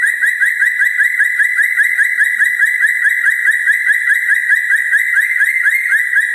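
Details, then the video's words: Red-breasted parakeet singing actively at night: a steady, high whistled note held throughout, quickly trilled at about two and a half pulses per second, with no other sounds. "Nuri Paltem Gacor diMalam Hari"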